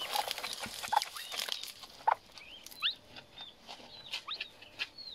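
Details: Himalayan monal chick giving scattered thin, high whistled chirps, short upward and downward slurred notes spaced irregularly over a hissy background with a few soft knocks.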